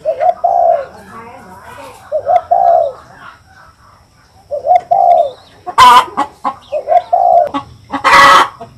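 A spotted dove gives soft, low, hollow coos in short two- and three-note phrases, about every two seconds, broken by two sharp bursts of noise.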